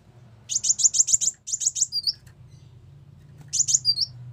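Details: Ruby-cheeked sunbird song played as a trapping lure: bursts of very high, rapid buzzy chirps, about eight in quick series, then a few thin whistled notes, a pause, and another short chirping burst; faint low hum behind.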